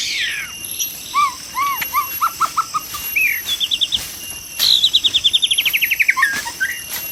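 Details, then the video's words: Wild white-rumped shama song heard while trapping: varied phrases of repeated arched whistles, then fast rapid trills of rising notes, over a constant high insect hum. "MIKAT BURUNG MURAI BATU DI ALAM LIAR"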